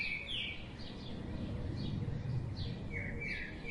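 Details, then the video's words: A mix of bird chirps and brief flat whistles, high and busy, several callers overlapping, with a low rumble of ambient noise underneath. "Birds sound"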